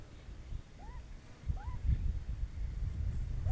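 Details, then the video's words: A pair of partridges calling: two clear upswept whistled notes about half a second apart, with a fainter third at the end, over heavy low-pitched wind or handling rumble. "Dakne teetar jora"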